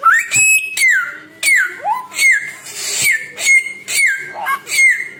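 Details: A Samyong bird sings bright whistles that level off or slide down, with a few rising notes and harsh bursts of noise between them.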